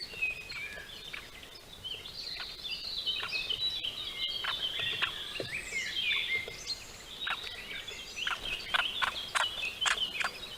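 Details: Great spotted woodpecker (Dendrocopos major) male with a juvenile at a bird feeder, Netherlands, 22 May 2022, giving sharp, high, clicking chips in irregular bursts over a steady bed of thin twittering from other small birds.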